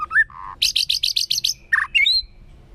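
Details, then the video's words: Short loud phrase from a white-rumped shama's forest-style song: a rising whistle, a buzzy low trill, seven fast bright high-pitched notes, then a rich slurred whistle and a thin rising note. "chòe lửa hót giọng rừng. kéo thuốc lào kích bổi. tiếng chim chích chòe lửa hót"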